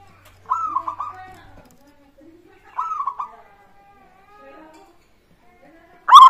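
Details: Local zebra dove, a lure recording meant to set other birds singing: two short rolling coo phrases separated by quiet, then a sudden loud burst at the very end.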